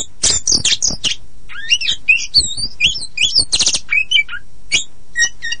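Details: Poci Oriental magpie-robin lure song for getting silent or untrained birds singing again: harsh buzzy notes open, then looping whistled phrases, another buzzy burst, and scattered short high chips.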